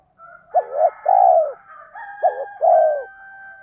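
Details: 'Tiếng thúc' call of a spotted dove, used to stir wild doves: two phrases, each a quick curled note followed by a sustained, descending, hollow coo, under faint continuous background tones.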